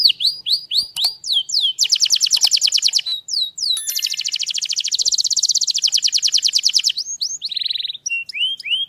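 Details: Strong canary song mixing quick descending whistles with long, very rapid rolling trills, one lasting about three seconds, ending in a short buzzy trill and scattered upward-slurred notes.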